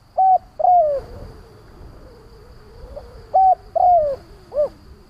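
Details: Spotted dove used as a lure bird to stir up other doves, giving two three-part coo phrases: a short flat note, a drawn-out coo dropping in pitch, then a rounded closing note, roughly three seconds apart.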